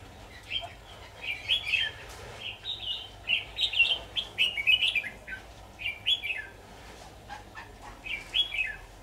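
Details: Red-whiskered bulbul singing during trapping with a decoy bird on 23 October 2019; a lively run of quick, chirpy, warbling phrases follows one after another with short gaps, over a faint low background hum.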